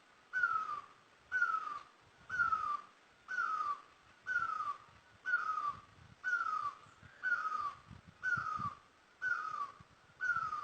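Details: Long, very regular run of loud, falling notes from a great barbet in Asia, about eleven calls spaced a second apart, the background otherwise quiet.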